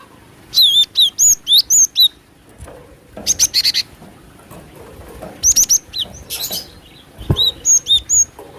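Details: Lure recording of a female cinereous tit: a run of loud, wavering whistled notes, then groups of fast, thin, high chips, broken by brief quiet stretches and a faint low hum.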